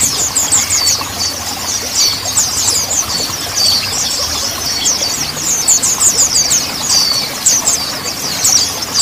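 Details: High, squeaky twittering song of a Mountain white-eye, used to coax untrained birds into voice: quick, tumbling chirps and short whistled slurs run nonstop, with only a soft background hum.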